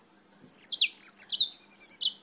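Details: Singing yellow-fronted canary, a bird brought from Spain, delivering one rapid high-pitched phrase of bright chirps, falling slurs and a sustained whistle-like note, lasting under two seconds.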